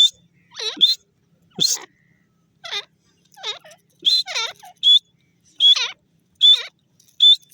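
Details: In forest, a grey francolin gives a long series of loud, shrill call notes, about eleven bursts roughly every half to one second, each mixing a bright whistle with rasping downward-sliding tones.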